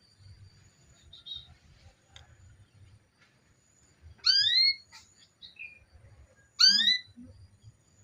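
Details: Female canary calling to get a male singing: two loud rising chirps about two seconds apart among scattered soft twitters, with low background rumbling.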